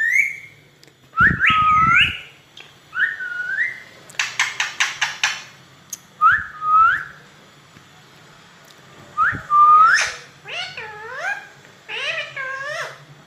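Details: Pet parrot recorded on an iPhone, giving repeated clear whistled calls with rising and falling slurs, a burst of rapid clicking notes, and harmonic-rich warbled phrases near the end, with a low steady background hum.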